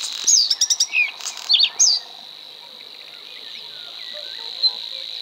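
A Bluethroat sings a quick two-second burst of varied high, sharp, ringing notes, then stops. A steady, high insect-like drone continues underneath throughout.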